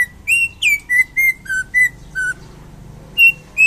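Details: Loud, clear song of a champion greater green leafbird in Indonesia: a steady series of pure whistled notes, each slurred and alternating slightly higher and lower, then a pause and two more whistles.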